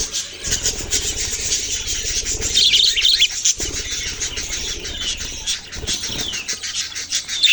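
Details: Young budgerigars twitter constantly in quick, overlapping high chirps with a few sliding whistled notes, over a faint low hum in the background.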